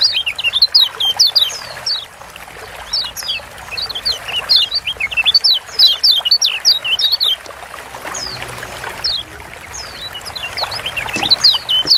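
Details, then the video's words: Kecial kuning, a yellow white-eye from Lombok, Indonesia, sings long runs of rapid high chirping whistles, a steady chatter over the first seven seconds, a pause, then renewed scattered notes. "Ciak Joss Kecial Kuning Ampuh Bikin Kecial Malas Bunyi Jadi GACOR"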